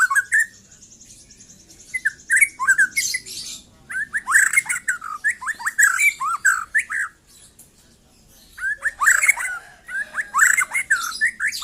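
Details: A young white-rumped shama, freshly out of its speckled juvenile plumage, pours out fast whistled and slurred notes mixed with scratchy squawks, in two long energetic phrases split by a short silence.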